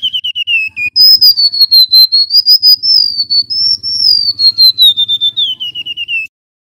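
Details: Male golden-bellied gerygone (remetuk laut) singing a clear whistled phrase. Short falling notes open it, then a long sweet whistle wavers up and down for about five seconds and ends in quick repeated notes. A faint low rumble sits underneath.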